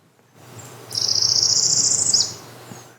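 A Northern Parula sings a high, buzzy trill that climbs steadily for just over a second, then drops with a quick final snap. A faint low hum sits underneath.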